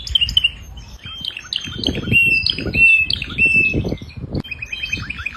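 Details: Canary song with varied high chirps and trills broken by bursts of lower rustling noise, the notes shifting between short phrases and a brief rolling trill at the end.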